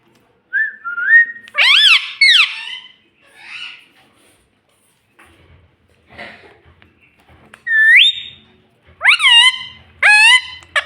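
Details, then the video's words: Pet green ringneck parrot talking indoors: bursts of harsh, rising and falling voice-like squawks, a long gap with faint murmuring, then a sweeping whistled note and further chattering phrases near the end. "Talking Parrot Mummy video"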